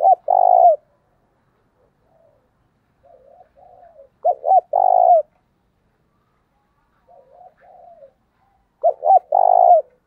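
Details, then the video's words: Spotted dove, a lure bird with an intense coo style, repeating its phrase about every four seconds: a quiet murmuring lead-in, then two short clipped notes and a loud, sustained low coo, with silence between phrases. "tiếng cu gáy thúc căng lửa"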